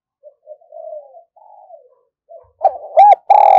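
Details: Caged decoy spotted dove starting with faint, low, murmured coos that run together, then breaking into loud, rough, forceful coos at the end.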